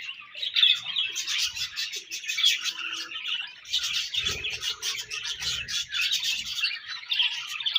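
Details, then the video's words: Breeding-season budgerigars in a busy group, overlapping bright chirps, clicks and warbling chatter running nonstop, occasional low knocks and rustles in the background. "Budgies Breeding Season & Budgies Chirping Sounds"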